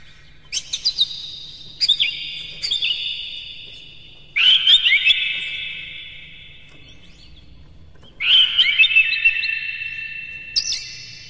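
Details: Oriental magpie-robin song used to goad rival males into singing: long whistled phrases roughly every two to four seconds, each opening with a sharp attack, over a faint low hum.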